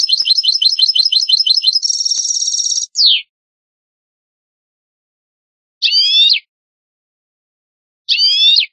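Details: European goldfinch song for tutoring young birds: fast repeated high twittering notes, a harsh buzzy trill and a descending slur, followed by silence and two separate brief rasping, buzzy bursts.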